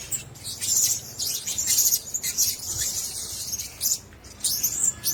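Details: Blue-crowned hanging parrots, a cage of several birds, giving thin, shrill, very high chirps in irregular bursts about once a second, with short quiet gaps between clusters of overlapping squeaks.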